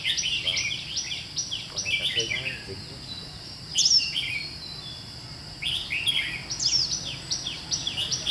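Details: Red-whiskered bulbul (white-cheeked) singing as a decoy during trapping on 17 July 2016: bright whistled phrases, chirpy and warbling, come in bursts with short pauses, over a steady high insect hum.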